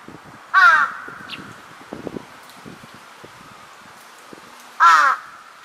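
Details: Large-billed crow startled by an unexpected call overhead, 2 September 2022; two loud harsh caws about four seconds apart, with light rustling and clicking sounds between them.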